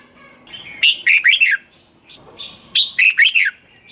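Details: Song of a red-whiskered bulbul from Thailand, used to stir up caged birds: two similar phrases about two seconds apart, each a quick run of rich, warbling whistles that swoop downward at the end.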